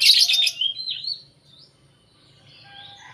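A lovebird gives about a second of shrill, rapid chattering trill, then a few thin whistled notes before the clip falls nearly silent.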